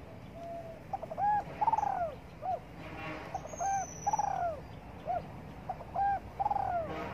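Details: Spotted dove sunbathing in the morning and cooing. Three soft, low phrases come roughly every two seconds, each a quick double coo followed by a drawn-out falling note. A faint high whistle and light ambient noise sit behind.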